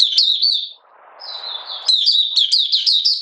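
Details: Buka sing from a Malaysian Oriental white-eye in minor moult and not in form, 31 July 2023: a high twittering phrase, a pause with faint rustle, then a longer, faster run of sweet slurred notes.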